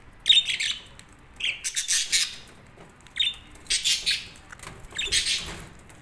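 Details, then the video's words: Budgerigars chirping in short bright bursts, with quick clustered notes in four groups of scratchy chatter separated by brief quiet gaps. "Budgies Relaxing Sounds"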